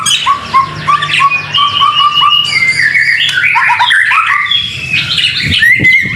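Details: Murai batu, or white-rumped shama, in full masteran song during rain. A series of short upslurred whistles repeats about twice a second, then gives way to dense, jumbled high warbles and chirps. A soft, low rumble runs underneath.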